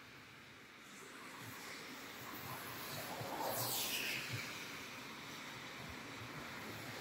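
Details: Steady wind and vehicle-like rumble with a swelling hiss midway, no animal voices.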